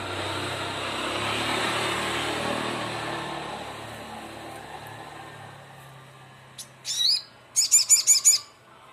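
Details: After several seconds of low background rumble, a crimson sunbird calling rivals gives one sharp rising squeak and then a burst of five rapid, shrill, high-pitched chips.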